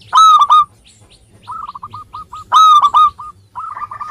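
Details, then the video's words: Zebra dove singing, a local bird used as a prompt for lazy singers. Sharp, loud double coos alternate with a quicker, softer run of short, clipped notes. "Perkutut Lokal Gacor Suara Ampuh Mengundang Cepat Agar Bunyi _ Cocok Untuk Pancingan Malas Bunyi"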